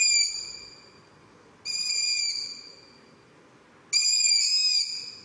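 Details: An owl in Poland gives three high, thin, whistled calls about two seconds apart; the last is longest and wavers slightly. Faint background hiss throughout.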